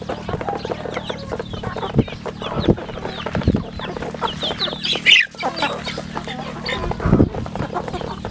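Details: Chicks on a rural home chicken farm give high, thin peeps that slide downward in quick bursts, over a steady low mechanical hum and scattered clicks and knocks.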